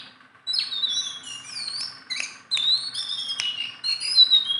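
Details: Tame Sunda bulbul, kept as a songbird that sings persistently and can be handled by hand, giving bright whistled phrases with sliding high notes and sharp clicks, loud bursts after a quiet start.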